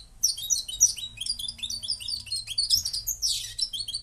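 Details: Moroccan goldfinch delivering a lively run of high, tinkling chirps and slurred twitters, ending in a harsher buzzy burst.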